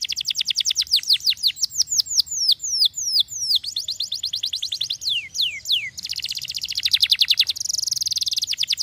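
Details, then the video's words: Canary singing a fast series of high descending whistled sweeps, roughly three per second, shifting into quicker tight trills and a buzzy rolled passage toward the end. "Quem disse que o canário preguiçoso não pode soar?"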